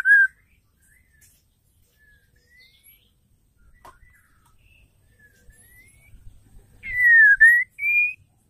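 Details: ['Female white-rumped shama, whose call is said to provoke males into singing: a single short whistle, a long near-silent gap, then a V-shaped slurred whistle and a higher rising note.']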